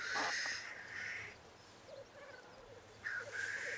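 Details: Black grouse at a courtship lek, males displaying and fighting for females: two loud, harsh, rushing hisses at the start and end, with faint low bubbling cooing between them.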